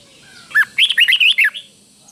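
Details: A single doubled-style phrase from a caged red-whiskered bulbul, used to tutor young birds: about six quick, bright whistled notes run together in one second, rising and falling, with a little low room hum.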